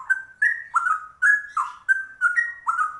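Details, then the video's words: A straw-headed bulbul pours out rich, fluty, gurgling phrases, seven quick bursts in three seconds that slur up and down at a mid pitch. "Trucuk langka ropelannya cucak rowo"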